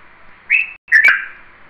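A red-vented bulbul gives two short, bright whistled notes, the second slightly longer and wavering, over a steady faint hum of background birds or insects.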